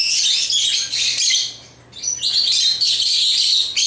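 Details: Pet African lovebirds chirping while playing with toys: dense, high, rapid chirps and squeaky twitters in continuous bursts, a brief quieter pause midway, then renewed busy chattering.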